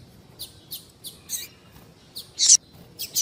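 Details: Female double-collared seedeater calling, a call used to get males singing: short, high, thin chirps scattered across three seconds, with one louder, fuller note near the end against a quiet background.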